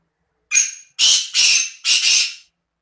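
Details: Harsh, loud black francolin call recorded in Khushab, Pakistan: a brief rasp followed by two paired, drawn-out scratchy notes, ending abruptly with nothing else audible.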